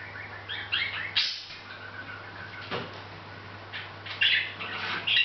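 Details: A Hahn's macaw chats to itself without noticing the camera, giving scratchy, squawking chatter in irregular bursts of a second or less over the steady low hum of a room indoors.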